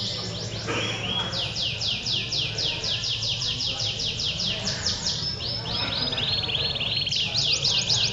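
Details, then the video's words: Domestic canary males at an Indonesian song contest, Pondok Cabe, February 2016, in continuous ngedur singing: long runs of quick descending sweeps, about four per second, rolling on without pause over a low murmur of people. "Adu Kenari Gacor Ngedur"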